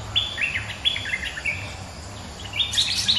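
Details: Resident bulbul singing back at a rival, a lure recording: a run of short, clear whistled notes, some slurred downward, then a louder jumbled burst of sharp chirps at the end over a faint low hum.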